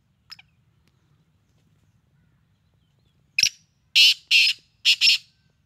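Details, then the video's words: Black francolin giving a faint short note, then a pause of about three seconds before a loud rasping phrase: a sharp note, two long harsh notes, and a closing quick pair. "kala teeter ki awaz"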